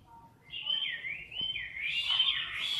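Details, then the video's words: Chinese hwamei kept in a cage, filmed close up during competition-style singing: a short, softer run of slurred whistles that rises and falls, with faint background noise. "Mi mơ hót đấu cực "Đỉnh""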